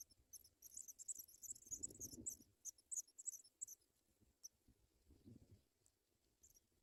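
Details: Chicks of the African pipit begging at the nest as adults feed them white butterflies; a rapid burst of high squeaky chirps for about four seconds, then fading to scattered notes, with dull rustling below.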